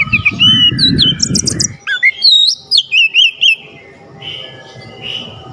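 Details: Oriental magpie-robin singing to rouse a lazy magpie-robin: broken whistled notes over rough low noise, then a clean run of five quick, rising-and-falling whistles before the hum returns.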